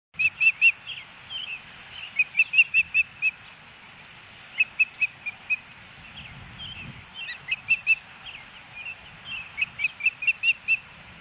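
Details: Ospreys at their nest in Hellgate Canyon, Missoula, Montana, on 16 May 2018: high, sharp whistled chirps in quick bursts of three to six notes, separated by short pauses, with a low rumble of background traffic or wind.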